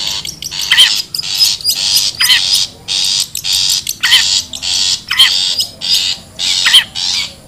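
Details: Long-tailed shrike from the wild, used as a bird-luring sound: rapid series of loud, grating, noisy bursts, nearly one a second, some ending in descending notes.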